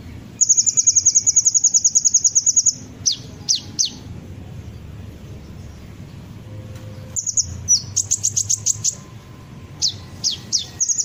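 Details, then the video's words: Sunbird song used to lure birds into singing: a long, fast high trill, a few sharp downslurs, quiet, then bursts of rapid high notes and more downslurred calls. "pancingan suara burung kolibri ninja pasti langsung ikut bunyi"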